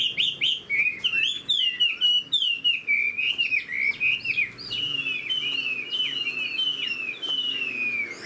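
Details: Spread-tailed Chinese hwamei, a caged bird raised for fighting, pouring out clear repeated whistles, over one per second, each sliding down then up, in a steady bright stream over near silence.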